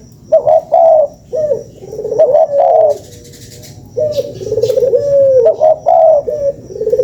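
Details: Lure call of a spotted dove, repeated three-part coos, two quick notes then a longer rolling coo, phrases coming close together, with a lower trilled flat coo between them and a brief rustle midway.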